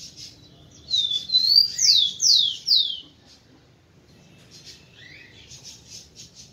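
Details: Kept male rufous-collared sparrow singing to stimulate females: a phrase of about five high, clear whistles sliding downward, loud and spaced quickly over two seconds, followed by faint distant high notes and a quiet low hum.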